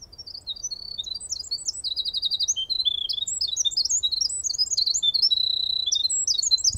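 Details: A Winter Wren, the northern British Columbia form, sings a long, rapid cascade of very high tinkling notes and fast trills, running without pause throughout, with a faint low hum beneath.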